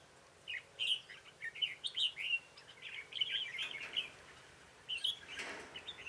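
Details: Red-whiskered bulbul singing on 21 March 2018 while being trapped with a decoy; lively, repeated chirpy whistled phrases in quick succession, bouncing up and down, with a brief rushing noise near the end.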